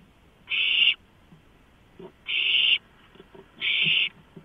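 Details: Begging owlets at a night food drop of a large rodent, live nest camera, March 2015: three evenly spaced harsh hisses, about half a second each, with faint low rustling between.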